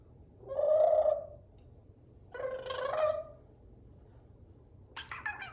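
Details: African grey parrot giving two loud, harsh, nasal calls, each lasting about half a second with a rough buzzy tone and rich overtones, followed by a shorter scratchy burst at the end, with quiet background between calls.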